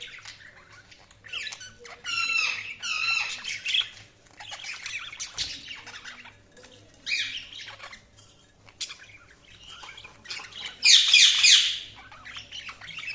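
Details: Budgerigars chirping in loud, bright bursts of fast squeaky warbles and harsh chatter, one to two seconds long and separated by brief quieter gaps, ending with a strong grating squawk burst, over a low background hum.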